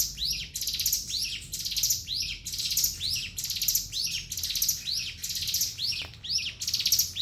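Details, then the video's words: Javan sunbird in ngebren singing: fast, high-pitched buzzy phrases, each closing on a drooping hooked note, following one another almost without gaps. "Ciblek Gunung"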